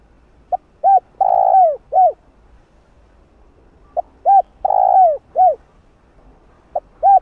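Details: Spotted dove calling coo for training a decoy bird. A repeated phrase of a faint pip, a short coo, a long falling coo, and a closing coo recurs roughly every three to four seconds, with the start of a third phrase at the end.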